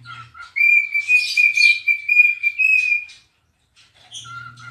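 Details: Dancing pet cockatiel singing: a short low whistle, then a long steady high whistle pulsing about twice per second with scratchy overtones, a pause, and a lower whistle returning at the end.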